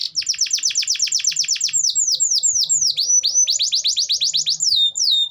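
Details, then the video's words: Gacor (constantly singing) canary song used as a prompt for lazy canaries: a fast string of high falling notes, slower looping swoops, then renewed rapid sweeps and a clear whistle. "Pancingan Suara Burung Kenari Gacor || Cocok Untuk Terapi Kenari Malas Bunyi"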